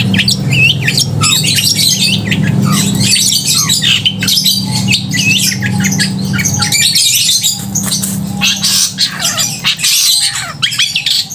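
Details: Loud long-tailed shrike song, meant to rouse emotion and mating urge in other shrikes: harsh squawky high chatter and quick slurred notes, with short steady mid-pitched tones later and a noticeable low droning hum throughout.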